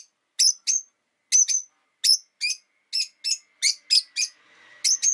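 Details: Indoor rosy-faced lovebirds, five in a cage near a window, call in winter with paired and single sharp chirps at irregular intervals, while a faint steady hum from outside rises in the background.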